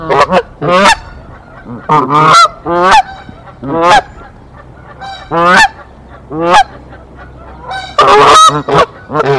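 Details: Resident Canada goose pair defending their nest against an intruding female in Decorah, April 2024. Strong, rich honks burst out irregularly, some doubled, with a harsh noisy blast near the end.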